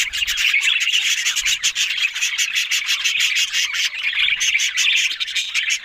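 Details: Constant budgerigar chatter: a thick, buzzy warble from these Australian parrots, laced with fast dry clicks and short squeaky notes, loud and unbroken throughout.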